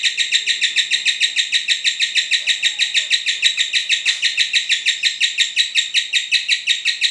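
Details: Cinderella lovebird ngekek used as tutoring material: seven seconds of continuous, very fast, even chirping, about three shrill notes per second, bright and unvarying throughout.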